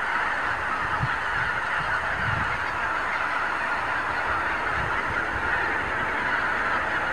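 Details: Wild geese massing by the thousands on meadows and farmland of the Lower Rhine in the morning; steady wall of overlapping honking from a huge flock, with a few soft low thumps of wind.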